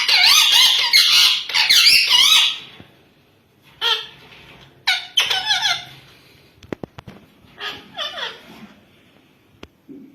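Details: Yellow ringneck parakeet at a talking competition: loud, shrill, squeaky speech-like chatter with rapidly bending pitch in a long burst, then shorter phrases and sharp clicks, in a small indoor room.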